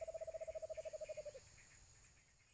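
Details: White-eared brown dove, the Alimokun of the Philippines, recorded at Antipolo among cage-trapping activity. About twenty low hooting notes come in a fast, even roll, sinking slightly in pitch before stopping after a second and a half. Soft chirps are heard behind.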